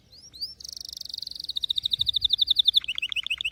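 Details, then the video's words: Domestic canary singing. A few upward-sweeping whistles lead into a rolling buzzy trill, then a rapid string of repeated chirps, closing with bouncing lower notes at a fast steady tempo. Background is quiet. "غناء كناري لاسكوت ،لن يصمت كناريك عند سماع هذا الوحش Canary Bird singing"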